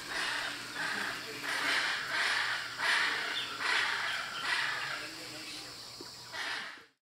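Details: Plumbeous ibis chicks beg for food from a parent in Brazil's Pantanal wetland, late July to early August 2018: harsh, raspy begging calls about one burst per second, with a voice faintly beneath.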